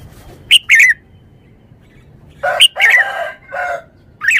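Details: Red-whiskered bulbul singing short, bright warbled phrases that rise and fall, given in two bursts about two seconds apart, then a single rising note, over a quiet background.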